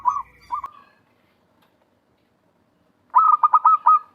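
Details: Wild zebra dove with a big voice, suited as a trapping lure: two short coos, a silent gap of about two seconds, then a brisk pulsed phrase of rolling coos.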